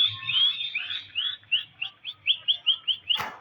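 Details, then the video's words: Pet Indian green ringneck parakeet calling in a quick series of about a dozen short, high, arched chirps, slightly uneven in spacing, followed by a sharp click or tap. "Indian green ringneck talking raw parrot /parrot speak in Urdu"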